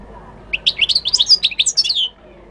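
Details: Moroccan goldfinch delivering one continuous run of quick, bubbly twittering notes. The notes rise and fall in a tinkling chain lasting about a second and a half, then stop.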